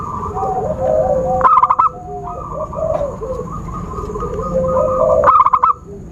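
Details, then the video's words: Zebra dove call played to lure birds for trapping: two bursts of rapid, bubbling coo notes roughly four seconds apart, with softer warbling whistles and a thin steady whine between them. "Suara Khusus PIKAT burung Perkutut/Merbuk"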